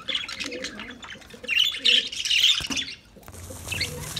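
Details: Lovebirds singing: shrill, scratchy chirps and squawks in dense bursts, loudest midway, with faint low warbling underneath and a quieter chattering tail.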